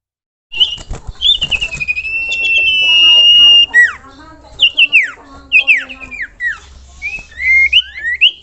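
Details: Common iora luring other ioras to sing. A drawn-out steady whistle, held about two seconds, drops away into several falling slurs, followed by scattered short rising whistles and chattery notes.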